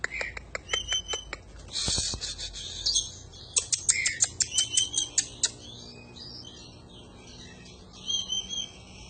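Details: Oriental magpie-robin (kacer) in a vigorous 'gacor' panjingan-style song used as a training recording for other birds: rapid clicking ticks, harsh bursts and whistled notes, a lull, then another whistled phrase near the end.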